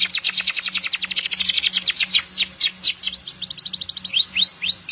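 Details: Canary in long, continuous 'gacor panjang' song used as a masteran training recording: fast buzzy high trills of rapid repeated notes, then slower upward-curving whistled notes, over a faint steady low hum.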